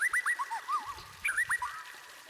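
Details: Training song of a white-rumped shama for prompting other birds to sing. It has two bursts of quick whistles that slide downward, separated by a short pause.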